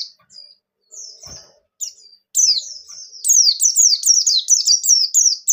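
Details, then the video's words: White-eye known as bustomi, gacor ngalas nembak song intended to stimulate other white-eyes. Soft high thin notes and a brief low thump give way to a sustained, dense stream of rapid, sharply falling chirps. "Suara Burung Pleci Gacor Ngalas Nembak #36: Pleci Bustomi Akan Gacor Dengar Suara Ini"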